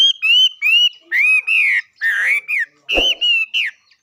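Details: A bird gives loud clear whistled notes with strong overtones, mostly level or gently wavering, in a steady string of about ten, with one sharp click partway through.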